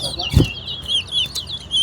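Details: A Chestnut-bellied seed finch (Sporophila angolensis) at a towa towa bird singing competition sings a fast, sweet warble of rising and falling high notes without pause, with a single dull thump early on.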